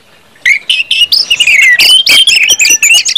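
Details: Orange-headed thrush 'ngeplong' song, meant to set other birds singing: after a quiet start, lively whistled and slurred notes follow one another quickly, clear and loud.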